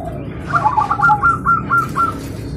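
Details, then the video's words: Zebra dove song in the morning, birds answering each other: a rapid string of short, bright stuttering coo notes, slightly falling, over a low steady background hum. "Perkutut Manggung Di Pagi Hari Saling Bersahutan Dan Ramai"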